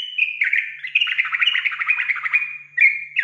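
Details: Sooty-headed bulbul lure song meant to make untrained bulbuls excited and call: a dense, fast warbling chatter with squawky edges, then two clear slurred whistles after a short gap, in a quiet background.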